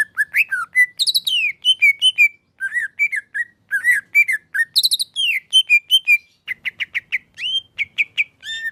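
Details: Singing male greater green leafbird: a long varied string of loud whistled notes, slurred up and down, with rapid chattering runs and repeated short phrases, about two and a half notes a second, clear and uncluttered.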